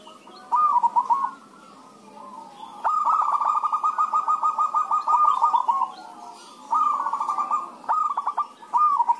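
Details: A lively back-and-forth of zebra doves meant to lure other doves into song. Short trilled coo bursts frame one long rapid stuttering run of notes lasting about three seconds, with quieter cooing between phrases.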